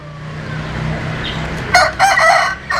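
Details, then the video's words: Brief rooster crow that starts abruptly after a low rumbling background and breaks into two loud, harmonic bursts lasting about a second. "Tập Hợp Những Tiếng Gà Gáy Rất Hay"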